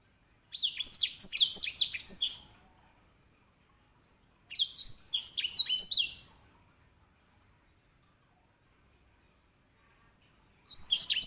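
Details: Edel sanger, a small finch used as a master bird for canaries, sings short bursts of rapid high twittering about two seconds long, repeated after silences of roughly two to four seconds.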